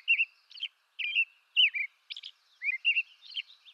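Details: American robin of eastern North America singing clear, rolling whistled phrases, several dipping downward, spaced by short pauses, with occasional high squeaky notes. No other sounds are heard.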